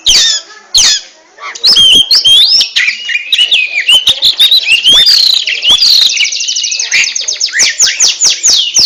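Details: Oriental magpie-robin in ngentrok song, opening with sharp clicks and then building into a dense, rapid stream of whistled slurs. The phrase ends in a fast rattling trill of repeated notes.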